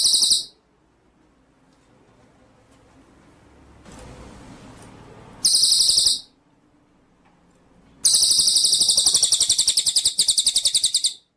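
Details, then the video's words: Cililin bird singing vigorously, a tutor recording for songbird keepers: very high, rapid buzzy trills of evenly spaced pulses in three bursts, the longest about three seconds, with a brief hissing noise between them. "masteran cililin gacor"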